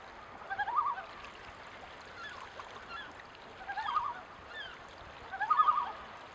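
Common loon giving three short, quavering, mid-pitched calls spaced one to three seconds apart, over a steady background hiss.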